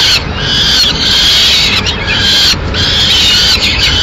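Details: Peregrine falcon nest in Madrid, 6 May 2016, female arriving with a pigeon; two long, loud, rasping wails with a short break between them, ending with a brief third cry.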